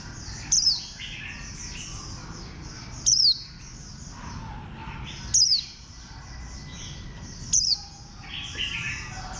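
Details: Warbling white-eye repeating a strong, high, downward-sliding whistle four times over about nine seconds, with soft twittering from other small birds throughout.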